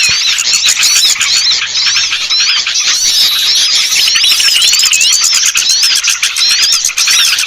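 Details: Many small birds twitter at once in this lure for shy birds, with sharp high chirps, zigzag whistled phrases and constant quick ticks layered into an unbroken, busy wall of sound.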